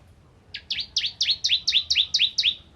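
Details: Bar-winged prinia, the crystal form found around rice fields, used as a tutor bird for magpie-robins; a loud, rapid series of eight sharp downward-sweeping chirps, each doubled, after a half-second pause.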